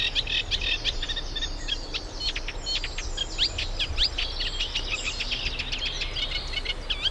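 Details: Reed warbler, summer visitor from Africa, at a nature reserve in the UK during nest building; sustained scratchy, chattering song of quick repeated notes and rising whistles, running without pause over a soft low background rumble.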